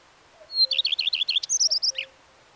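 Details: Common redstart in song: a sustained high note, a run of about seven bouncing descending notes, then a higher twittering trill that drops at the end. Distant low whistled notes are heard behind it.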